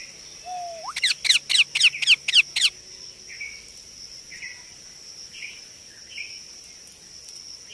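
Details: Young Indian ringneck parakeet: a rising whistle leads into a rapid run of about seven harsh, grating calls, followed by quieter soft chirrs and a continuous shrill background tone.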